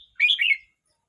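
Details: Red-whiskered bulbul aged 12 months 29 days produces a brief, rich, bubbling phrase of run-together slurred notes lasting under half a second.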